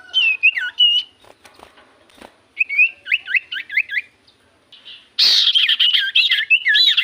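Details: Lure recording of common iora song meant to set quiet birds answering: twisting whistled notes, clicks, a rapid series of wavering whistles, then a loud, rich, rolling whistled phrase to the close.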